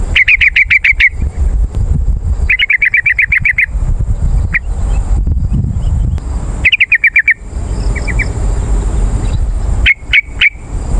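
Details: Yellow-vented bulbul chattering, played to lure wild birds. Several fast bursts of bubbly repeated notes, a few isolated chirps, and a final short trio, over steady low background noise.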